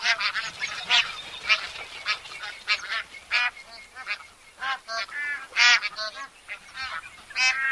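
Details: Bar-headed goose calling: a rapid series of short nasal honks, several birds overlapping, with quieter honks between louder ones and brief background chatter.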